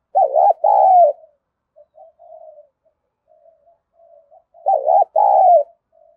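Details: Spotted dove calling to train decoy birds: loud two-part hooted phrases, each a short wavering note and a longer one, heard twice about five seconds apart with soft, low murmuring coos in between.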